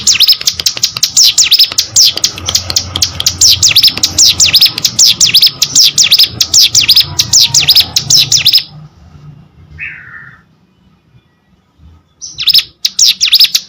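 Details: Hill prinia pouring out a dense, chattering stream of very high, sharp whistled notes for about eight seconds, then near silence with one soft lower note, before the high rapid song briefly resumes.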